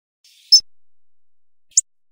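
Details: Hawfinch giving two sharp, very high, clipped ticks about a second apart, the first preceded by a faint thin rustle, then silence.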